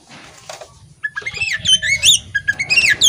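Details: Female Oriental magpie-robin singing energetically while fanning its tail. After a second of low rumbling background, a run of rapid, varied high whistles and chirping notes begins, with sweeping slurred phrases.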